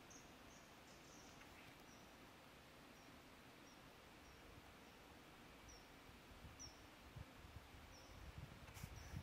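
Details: Common kingfisher (Alcedo atthis) at fishponds in the Drage valley on 20 November 2022 gives a dozen or so brief, thin, high-pitched whistles at uneven intervals. They are faint over a steady low rumble and some rustling.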